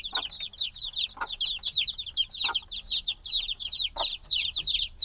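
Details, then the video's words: A brood of black baby chickens hatched just days earlier chirps insistently, thin high peeps slurring downward in dense overlapping runs, with a few lower thuds spaced about a second apart. "Baby Chicks Sounds - Baby Chicken Chirping Noises"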